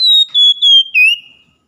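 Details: Oriental magpie-robin morning song, played to get a caged bird singing again: a short phrase of clear whistled notes, sliding gently downward, then a lower note that dips and rises before fading. No other sounds.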